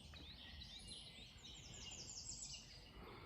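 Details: An American Redstart at Baldpate Mountain near Trenton gives a quick run of thin, high notes ending in a sharp chip, over steady outdoor noise with other birds in the background.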